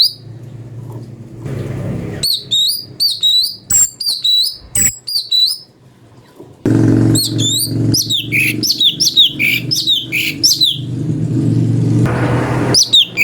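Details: Cucak cungko (chestnut bulbul) song variation for magpie-robin training: fast series of upswept whistled notes, a short gap, then a dense tumbling run of sliding whistles over a low rumble.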